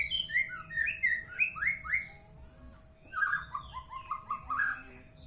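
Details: White-rumped shama with an unusual song of rich, sliding whistles. There are two bursts of quick, stepped phrases separated by a short pause, and a constant low electrical hum in the background.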